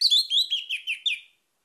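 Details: Orange-headed thrush song used as a lure to set other birds singing: one burst of about six bright, slurred whistled notes, each dropping slightly in pitch, packed into just over a second before fading out.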